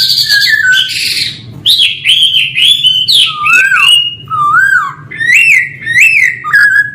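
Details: Male laughingthrush singing loud varied whistles: buzzy opening notes, then looping slurred phrases and repeated upswept whistles, strong and continuous.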